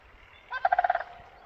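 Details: In spring, a crane gives a short, rolling, rattled call: about seven quick throaty pulses in half a second, mid-pitched and loud, over a faint low background rumble.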